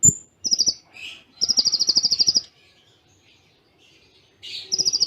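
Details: Kolibri ninja tembakan cililin tutor song with short pauses. A thin whistle leads into brief buzzy notes, then a second-long rapid high trill, a silence, and another trill that starts with a rough buzz.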